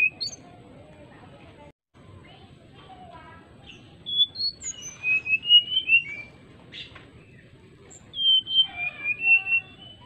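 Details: Greater racket-tailed drongo calling an opponent with flute-like whistles: scattered chips and short whistles, then two bursts of loud, rapid, clear whistled notes dropping in pitch, separated by quieter moments, over low background noise.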